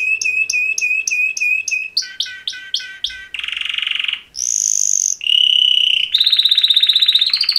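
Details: Two male canaries give mating-call songs in distinct tours: repeated chip-whistles, downslurred notes, a dense buzzy roll, a pure high whistle and fast pulsed trills.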